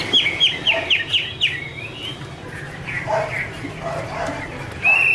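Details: Female Chinese hwamei in 'mái te' song, male as background: a rapid run of clear, downward-sliding whistles opens, then lower muttered notes and a long bright whistle at the close, over low hum.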